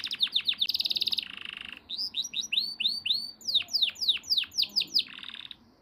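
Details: Yellow canary song mixing quick down-slurred whistles, a dense buzzy trill, and a string of arched, rising-falling notes, closing with another buzzy roll.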